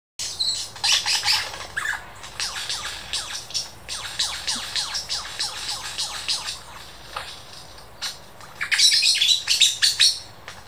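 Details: Superb lyrebird at the Dandenong Ranges Botanic Gardens mimicking local birds; rapid bursts of high chirps and sharp downward sweeps, dense and varied, ending in a loud cluster of bright, scratchy notes.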